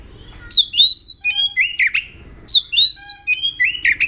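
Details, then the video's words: Aggressive oriental magpie-robin (murai kampung) singing a lure song meant to make other magpie-robins sing: two bursts of clear, sweet whistled notes that slide up and down, each phrase ending in a harsher buzzy note, repeated about two seconds apart. "Murai Kampung Galak - Denak Murai Cacing - Pancingan Kacer Gacor Langsung Bunyi - Chòe Than Hót"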